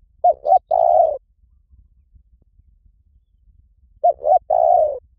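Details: Spotted dove call used to lure birds for trapping: two identical phrases about four seconds apart, each two quick coos followed by a longer, slightly falling coo, silence between.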